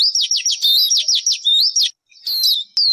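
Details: Rapid run of looping high whistles, each dipping and rising, strung into a lively trill, then after a brief pause a harsher buzzy note and a clean falling whistle.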